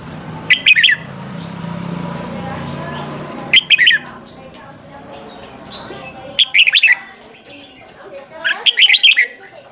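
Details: Red-whiskered bulbul morning song, played to spur newly caught bulbuls into singing: four bursts of quick, bright warbled whistles, each about half a second long and roughly three seconds apart, over a steady low background rumble.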